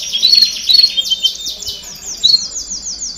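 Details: Domestic canary baderna singing meant to push young birds to sing faster: quick rolling trills of repeated falling sweeps, about two per second, with brief piercing whistles between tours.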